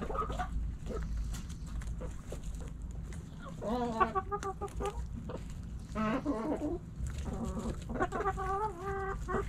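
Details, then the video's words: Backyard chickens, hens and roosters together while scratching and pecking, give several bursts of nasal, harmonic clucks and short calls, separated by quieter spells, over constant low background rumble. "Hens Clucking Roosters Crowing"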